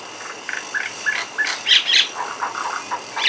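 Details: Mynas perched on a window grill chirp over a steady hiss: short flat whistled notes and buzzy chirps in quick succession, growing louder midway before trailing off.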